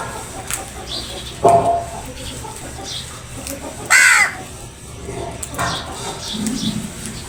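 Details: Crows attacking food: two loud, harsh, hoarse caws stand out about two and a half seconds apart, with fainter calls and high chirps of small birds against a steady background hiss.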